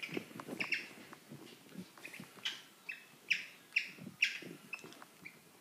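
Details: Two pet cockatiels during mating give short bright chirps, repeated roughly twice a second in uneven bursts, some sharper and louder than others, over a faint low household rumble.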